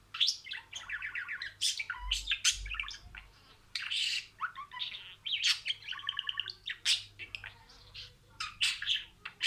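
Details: Budgerigar imitating words: bursts of buzzy, tonal, ladder-like notes alternate with harsh squeaks, in phrases broken by short silences.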